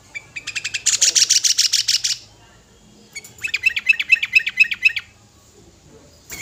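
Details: Five-year-old sooty-headed bulbul singing full material meant for calling other birds: two bursts of fast, buzzy repeated high notes, each lasting about one to two seconds, separated by a short pause.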